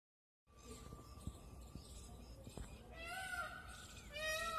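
Two loud, nasal, harmonic peacock wails, each rising slightly, come in the last two seconds over a steady hum, scattered clicks and background noise.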